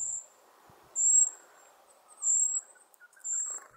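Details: In winter, Golden-crowned Kinglets foraging constantly in small social groups keep calling to one another about food, giving very high, thin, lisping tsee notes in short bursts about once a second, over faint background hiss.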